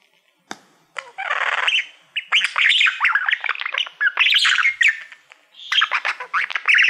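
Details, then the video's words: Male budgie singing to his reflection in a play button: a harsh buzzy squawk, then a dense, continuous chatter of squeaky, rising and falling chirps. "Budgie singing to Youtube Playbutton - Cookie sounds"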